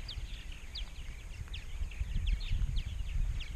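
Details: Purple martins at a large colony in Rainsville, Alabama, with about 920-930 pairs: clear, sharp downslurred chirps and gurgles from many birds, repeated irregularly, over a low wind-like rumble.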